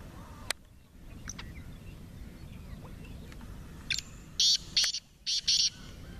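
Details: Partridge (teetar) said to give 28 calls in three minutes, kept for fighting. After scattered clicks and faint chirps, a run of four loud, raspy, buzzing bursts arrives in quick pairs near the end over low background noise.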